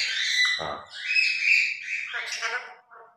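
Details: Grey parrots kept as pets, two birds noisily playing in the morning and copying words: a continuous run of squawky, speech-like sounds with a brief voiced syllable and fading chatter.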